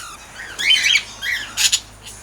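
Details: Cockatiels in a large outdoor aviary housing about 32 birds, roughly 14 pairs: harsh, raspy squawks, a longer grating call followed by two sharp screeches.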